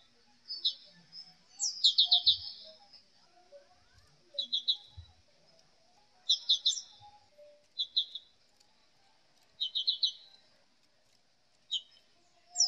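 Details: ['Black-capped white-eye giving short, scattered bursts of high, rapid trilled chirps at irregular intervals, fairly quiet, with occasional soft low thumps and faint background noise.']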